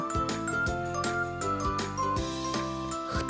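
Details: Bright children's music with jingling bells and a steady beat, with no animal sound.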